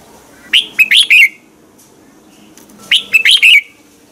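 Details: Red-whiskered bulbul singing in the morning as a decoy bird to train others. Two matching phrases of four or five rapid, rising-and-falling whistled notes are separated by about two seconds of near quiet.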